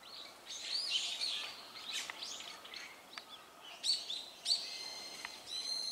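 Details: Flock of Azure-winged Magpies calling; short harsh and buzzy notes with a few sharp rising squeaks, scattered in bursts through faint steady background noise.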